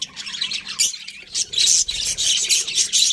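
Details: Several pet budgerigars chirping together: a dense chatter of scratchy, buzzy high notes in quick overlapping bursts, with a short pause early on before the noisy warbling resumes and continues steadily.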